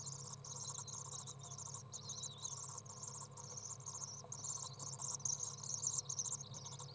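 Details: Nest box holding three young common swifts during a feeding, 15 June 2011; sustained high buzzy chittering in bursts of roughly a second, rising louder toward the end, over faint low hum.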